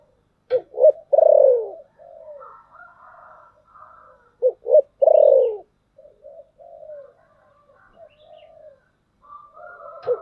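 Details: Spotted dove cooing as a decoy for wild birds, thunder-voice style: two quick notes then a loud falling coo, repeated twice about four seconds apart, with soft wavering coos and drones between.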